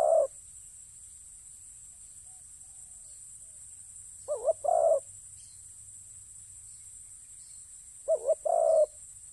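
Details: Spotted dove at a ground decoy site gives sparse low coos. Double-noted phrases ending in a longer croo are spaced about four seconds apart, with long quiet gaps and a constant faint hiss.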